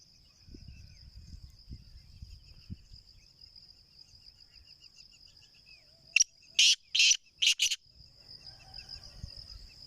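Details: Home-bred black francolin (kala teetar) gives one loud, rasping call of four harsh bursts in quick succession after a quiet stretch. A continuous high-pitched insect drone and faint low rustling run through the recording.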